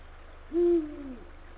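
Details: Deep single hoot from a male Eurasian eagle-owl calling to his mate at the nest, 17 February 2023, 16:45; the strong note holds briefly, then fades into a lower, drawn-out falling tail.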